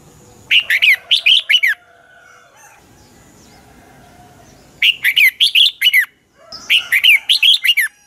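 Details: Red-whiskered bulbul dueling song used as a lure to train birds: three bursts of loud, warbling whistled phrases, each of four to six quick notes sliding up and down, separated by pauses of a few seconds; quiet background.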